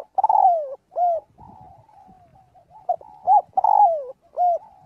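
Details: Spotted dove calling its flock while practising its voice: mellow mid-pitched coos, several long notes drooping at the end and short rounded ones, separated by softer murmuring coos.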